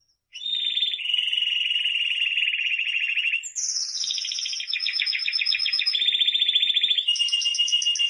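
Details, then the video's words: Timbrado canary singing long sustained trills, a low rolling tour giving way to higher bell-like rapid rolls and buzzy trilled phrases, continuous with no pauses. "CD Canario Timbrado"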